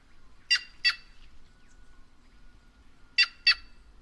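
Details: Two pairs of harsh, grating notes from a White-naped jay, each pair a rapid double bark, the pairs separated by about two and a half seconds of near silence.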